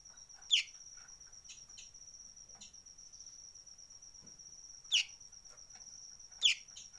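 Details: Sunbird making an unusual call, heard as scattered high, sharp chip notes, three of them stronger and spaced irregularly, over a constant shrill whine like an insect.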